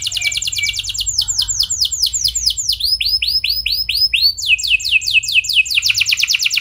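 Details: Lure song of a canary meant to set other canaries singing: a fast high trill gives way to slower down-slurred whistles, then upswept notes, then another quick rolling trill, each phrase a run of repeated notes.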